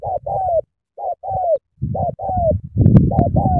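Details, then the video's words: Vigorous sắm thổ cooing of a spotted dove from Cà Mau, Vietnam: repeated pairs of mellow coos with falling endings, then a burst of low rustling and clattering near the end. "Sắm thổ quá hăng hàng gù tuyệt vời"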